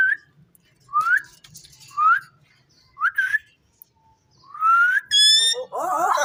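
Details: Caged talking Indian ringneck parrot repeats short upward-flicking whistles about once a second, then a longer rising whistle and a harsh, broad, buzzy outburst at the end.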